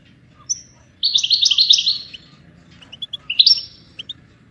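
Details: A goldfinch sings a dense, buzzy twittering phrase after one thin whistle, then a few sharp chirps and a short bright trill, with a faint low background hum.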